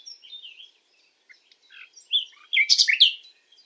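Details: Common nightingale singing at night: a varied run of short whistled and slurred high notes, ending in a louder burst of rich, rasping phrases.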